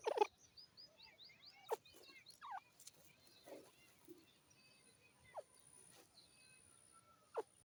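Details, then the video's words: A francolin (teetar, called a partridge) gives loud, harsh, sharply dropping calls about every two seconds, with thin twittering of smaller birds in the background. "Teetar Bird sound"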